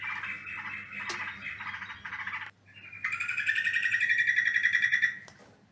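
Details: Yellow-vented bulbul calling to lure birds for trapping: a burst of rough, warbled chatter, then a brief pause, then a quick, even string of clipped notes repeated several times a second.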